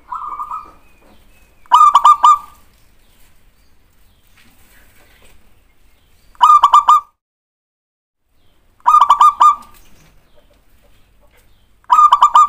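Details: Zebra dove song for provoking a reply, played as repeated bursts of rapid pulsed cooing phrases, each under a second long, separated by gaps of about two to four seconds of silence.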